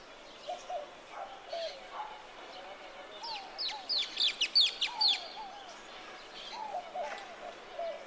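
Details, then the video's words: Social Flycatcher by the Huatulco River, Oaxaca, Mexico, at dawn, giving a quick burst of harsh, high shrieks over a few seconds. Lower slurred whistles from other birds repeat in the background. "here are the shrieks of the social fly catcher"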